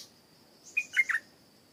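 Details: Stripe-throated bulbul in a garden whose owner reported a fine singer, giving a short phrase of three bubbly, warbled notes in quick succession over a steady high hum.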